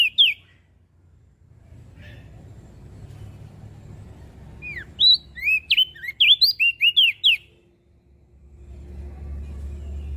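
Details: A mountain leaf warbler gives a fast, tumbling series of clear whistled notes, each swooping up or down, about ten in two seconds. An earlier short call and a soft low hum are also heard.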